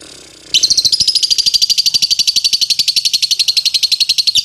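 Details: Following a faint low hum, lovebird ngetik chatter bursts in, a sound used to trigger long ngekek singing: very fast, loud, shrill pulses in a continuous rattle lasting four seconds.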